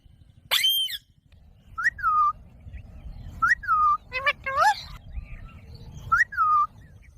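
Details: Green pet parrot giving a clear whistled phrase, a short rising note then a falling slur, repeated about every one and a half seconds among faint speech-like syllables.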